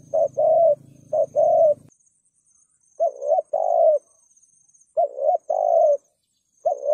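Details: Spotted dove in 'thúc gù' calling style, used as a lure for wild doves; repeated paired coos, a short note and a drawn-out hoot, several phrases, with a low rumbling hum under the first two seconds.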